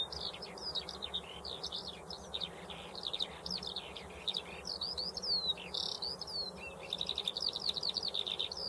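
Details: Eurasian skylark pouring out an unbroken, high-pitched song of rapid chirps, buzzy notes and trills, varied and fast throughout, over faint low noise.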